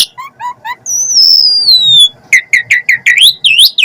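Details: Asian pied starling singing full 'isian': short rising chirps, then a long clear whistle sliding slowly downward, followed by a fast run of looping whistled notes repeated about three times a second.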